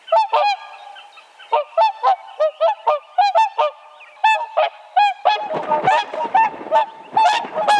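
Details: Whooper Swan giving a steady run of bugling, nasal honks, roughly two per second. The calls grow denser toward the end, where several overlapping calls and a rougher, noisier texture join in.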